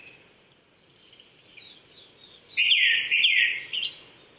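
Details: On an April morning at 800 m in Saitama Prefectural Forest, Chichibu, Japan, a Japanese thrush gives a brief, strong burst of rich whistled notes after several seconds of faint high chirping from other birds.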